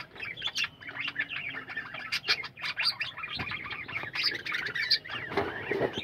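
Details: Lively budgerigar colony in captivity, with several birds overlapping in chirpy warbling chatter, short whistled notes and occasional sharp clicks.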